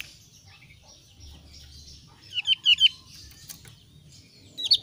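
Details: A thin-browed Javan grey-throated white-eye, whose voice differs from the thick-browed form, gives three rapid, high, falling chirps after a quiet start, then one more sharp note at the close.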